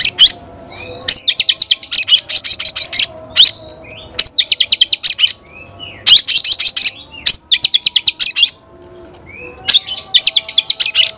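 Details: White-rumped shama calling to challenge an opponent to fight: bursts of rapid, sharp, high chattering notes, each about a second long, repeated with short pauses and occasional thin whistles between them.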